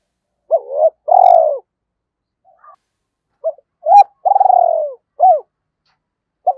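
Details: Spotted dove lure call played to draw wild doves into calling: a short two-part coo, then a long, purring, slightly falling coo, two brief hooked notes and a clipped restart. The recording is clean and quiet between phrases.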